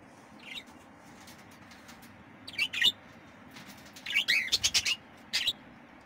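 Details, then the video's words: Budgerigar chicks giving short high chirps in scattered bursts, sparse at first, then a dense cluster of rapid overlapping squeaks near the four-second mark, followed by one last brief chirp over a quiet background hiss. "فراخ طيور البادجي"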